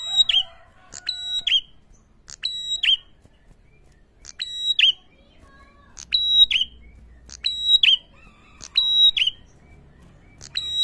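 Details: A prinia, recorded as a lure to provoke other prinias, gives sharp, high, ringing double phrases about every two seconds, with faint background chatter from other birds.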